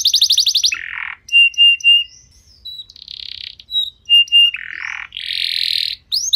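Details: Canary singing to lure other canaries into song: a buzzy trill, rough nasal bursts, clear repeated whistled notes and a loud harsh buzz, varied and stop-start.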